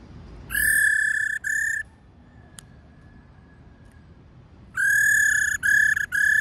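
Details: Female laughingthrush calling to excite males: two groups of steady, pure whistled notes, one long note and a short one, then a pause and a long note followed by three shorter ones, all on the same even pitch.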